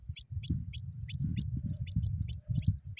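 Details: Young pipits give sharp, high-pitched begging squeaks in rapid, uneven succession, about a dozen in three seconds, above constant low rumbling noise.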